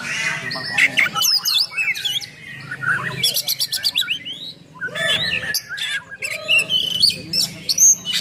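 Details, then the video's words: Singing oriental magpie-robin, full 'nembak' with rough 'isian kasar' fill-ins, used as a provoking and training recording for other magpie-robins; bright chirps, rapid trills and whistled notes come in clustered bursts over a low background hum. "Kacer Gacor Full Nembak Isian Kasar Bikin Emosi Kacer mu"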